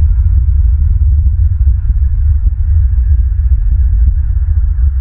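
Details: A loud low throbbing hum with rumbling pulses, and no animal voices.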